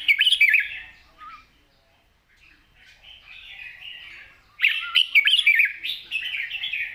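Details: Long, gentle song in a wild style with chattering from a red-whiskered bulbul: bright warbles, a pause, soft rising murmurs, then a loud rapid cascade of twisting whistled phrases.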